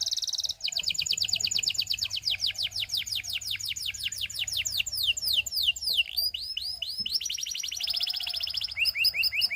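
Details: Belgian canary song encouraging other canaries to sing: opening buzzy note, a long rapid trill of falling whistles, slower swooping phrases, then quick chopped trills, loud and continuous for nearly ten seconds.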